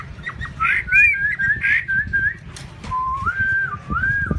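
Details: A pet black myna kept cage-free, free-flying and bathing itself, at a home in Saigon, gives very loud, clear, slurred whistles: first a quick run of rising and falling notes, then a longer wavering whistle, over a low background rumble.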